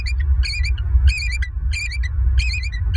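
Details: Wild bald eagle calling at its nest in Southwest Florida, picked up by a live nest camera at 06:56 on 16 November 2022: short clusters of high, squeaky, harmonic chirps repeating roughly every half second over a constant low wind rumble.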